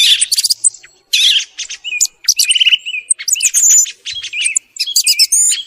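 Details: Morning song of a thrush, used as a hunting lure: varied phrases mixing buzzy rattles, quick trilled notes and clear sliding whistles, delivered in bursts with short silences between them.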